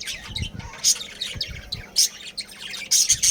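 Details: Captive budgerigars in a breeding colony: loud, short harsh squawks every second or so, with softer chattering between and low knocking sounds.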